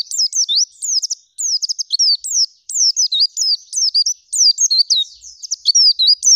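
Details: Gacor full isian song of an oriental white-eye, shooting and rolling zipper style: high piercing whistles, each sharply bent, delivered in busy bursts separated by tiny gaps.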